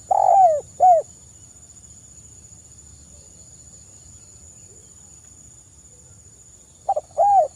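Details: Spotted dove calling to lure other spotted doves into answering: the tail of a cooing phrase with a long and a short coo, a long quiet gap, then a stutter and another rounded coo begin.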